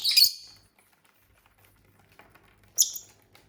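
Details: Caged lovebirds at home give two piercing high chirps about two and a half seconds apart, each brief and harsh, with near silence and a soft hum in between.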